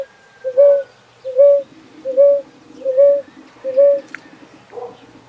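A ground dove gives a steady series of short, soft coos, about one every second.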